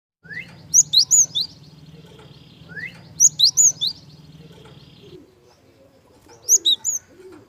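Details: Java sparrow song with a soft voice, used as a lure to get young birds singing: bursts of three or four sharp high chirps, repeated about every 2.5 seconds over a steady buzzy hum, with low cooing notes near the end.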